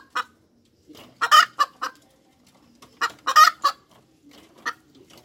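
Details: Clucking hen cackle in short groups: one sharp cluck, a rapid run of three or four loud, rough notes, a quiet gap, and another similar run, all against near silence.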